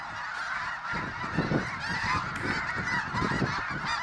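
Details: Snow geese, a flock of more than 20,000, flushed from a refuge field and flying low overhead: a constant clamour of honking and yelping with a low rumble of wings.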